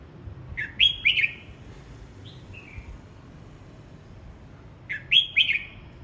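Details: Red-whiskered bulbul practising its song: a short, bright whistled phrase of three or four rising and falling notes, a soft note between, then the phrase repeated about four seconds later, with faint low background hum.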